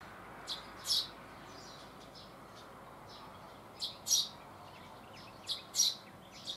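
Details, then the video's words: Eurasian tree sparrow perched on a deck railing in southern Sweden on 12 June 2015, chirping loudly: short bright chirps in pairs and clusters, with gaps of about a second or more between bursts, over a quiet background. "Tree Sparrow chirping loudly"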